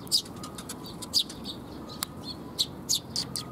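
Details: Sparrows coming for food near a bridge (水上橋) on 19 June 2021: a few short sharp chirps spaced unevenly, with softer twittering and a faint steady tone underneath.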